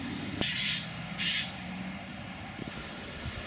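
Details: Young Eurasian jays, De Blaak, Tilburg, 22 July 2016: two harsh, rasping screeches, each about a third of a second and spaced under a second apart, over a low traffic rumble.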